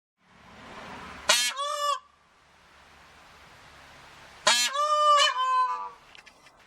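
A peacock gives two loud, harsh, nasal wails a few seconds apart, each a brassy rising-then-falling cry, over a soft background hiss.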